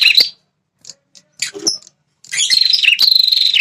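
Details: Red-headed prinia call meant to provoke territorial males: a sharp burst, a few short chips, then a sustained high buzzy rattling trill.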